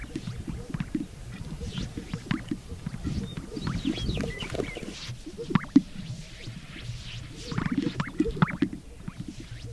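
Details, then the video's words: Greater sage-grouse strutting on a lek give low, bubbling pops and gulps from their air sacs, overlapping steadily, while other birds add faint higher chirps and whistles. "Sage grouse strutting / Токование полынного тетерева"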